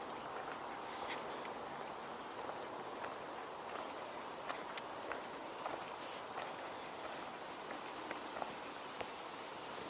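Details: Quiet outdoor ambience with soft rustling and scattered footstep-like knocks, and no clear animal calls.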